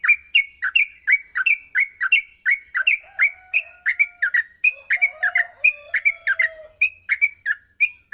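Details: Yellow-vented bulbul morning training song used to teach young bulbuls to sing quickly: rapid bubbly chirped notes around mid pitch, repeated about once a second in a steady run, with a faint lower whistle in the background.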